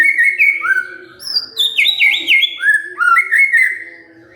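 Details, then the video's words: White-rumped shama singing in response to provocation, delivering clear, loud whistled notes that swoop up and down in quick succession over a soft constant hum. "tidak nyampe 3 menit murai TERPANCING emosinya, nyaut GACOR"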